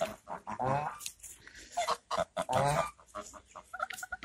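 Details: Chatty geese giving drawn-out, nasal honks with rich harmonics, two longer calls separated by shorter clipped notes, ending in a run of brief repeated honks.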